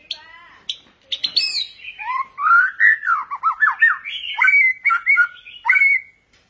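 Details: White-rumped shama singing many varied phrases: harsh high notes at first, then a rapid run of loud whistled slurs sweeping up and down, ending in bright repeated whistles.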